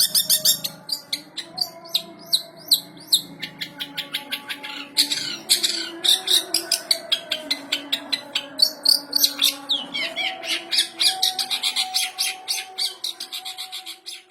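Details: Long-tailed shrike in full song imitating a house sparrow: dense, rapid sharp chirps and harsh chattering notes repeated in bursts roughly twice a second, with squawky phrases, over low background music.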